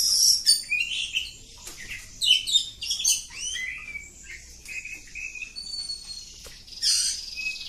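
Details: Long ngacor singing from a kacer kampung oriental magpie-robin. Rich chattering and rising slurs are followed by repeated short whistled notes, a pure high whistle and a final harsh burst.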